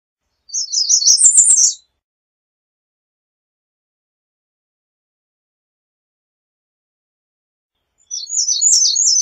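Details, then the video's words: American redstart singing two high, thin phrases of rapid repeated notes, each lasting about a second and a half and separated by several seconds of silence. "American Redstart Song! Call! Sound! Singing! - Candelita Norteña Canto"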